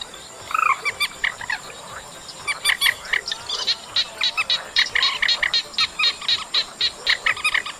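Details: Chestnut munia song from a track labelled August: bursts of short, rapid chirps and clicks repeated almost four times a second, mixed with a few rising whistled notes, over a steady faint high hiss.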